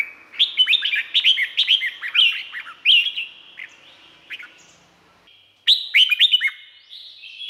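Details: Red-whiskered bulbul from Thailand singing, a kind kept as a cage bird and played to train or excite other birds: bursts of quick, liquid, bubbling whistled notes in rapid phrases, a pause, then another lively phrase.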